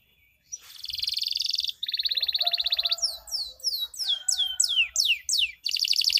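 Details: Singing canary meant to coax lazy canaries into song, in the 'cuit cuit' chirps joined to long rolls style: sustained buzzy trills, then a run of repeated downward-swept whistles, ending in another fast roll.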